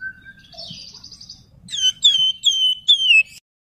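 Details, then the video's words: Javan fulvetta (flamboyan) song in an elaborate whistling style, used as a lure and master recording. A low thin whistle and a trilled buzz lead into four loud whistled notes, each sliding down in pitch, over a faint low hum. "Burung Wergan Jawa/Flamboyan Suara Mewah Nyiul Nyuling Cengkok Indah"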